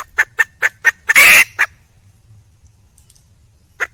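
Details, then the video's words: Wild junglefowl hen calling for a male: four quick clucks lead into one loud, rough squawk and a final cluck, followed by near silence. "le bruit d'une poule sauvage,เสียงไก่ป่าร้องหาถู่หาตัวผู้,ສຽງໄກ່ປ່າຮ້ອງຫາຄູ່ຮັກ, poj qaib qus see"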